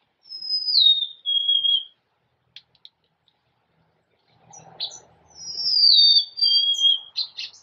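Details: Golden-crowned sparrow singing a clear, plaintive whistled phrase that slides down in two steps, with a short click series and faint low rustling before a second descending whistled phrase.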